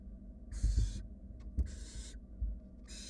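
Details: Wild barn owl nestlings huddled in a nest box as one sibling swallows a rat; two long, breathy snoring hisses, each about half a second, separated by a pause, with a third starting, over faint bumping.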